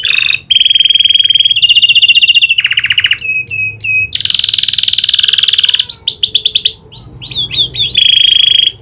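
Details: Persistent canary song with prinia click imitations: steady buzzy trills alternate with harsh rattles and short bursts of clicking, stuttered notes.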